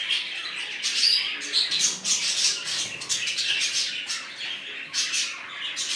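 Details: Budgerigars in a newly set up colony keep up dense, overlapping chirps and scratchy squawks, high-pitched and continuous, with a sharp whistled note near the one-second mark.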